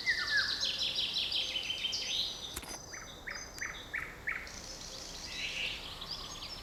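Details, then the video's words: Birds singing in a forest on 7 May 2020: dense high trills and twitters, a few short whistled notes in a row, and a couple of sharp clicks midway. "Невероятное пение птиц в лесу"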